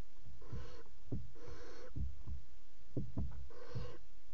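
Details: Barn owls at a nest box in a water tower, recorded on 5 February 2018 around mating on the box edge: three breathy, drawn-out hissing bursts with several low dull thumps and knocks in between.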